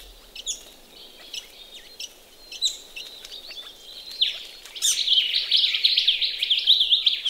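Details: Ring-necked parrots bathing in a pond in Australia, scattered single chirps and splashes, then a continuous burst of rapid scratchy chattering in the last seconds.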